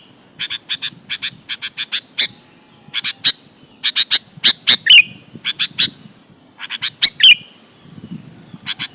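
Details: Sooty-headed bulbul singing vigorously as a lure to challenge rivals and make other bulbuls respond: rapid bursts of sharp, clipped chirps in clusters of three or four, twice broken by a louder ringing whistled flourish, faint rumble beneath.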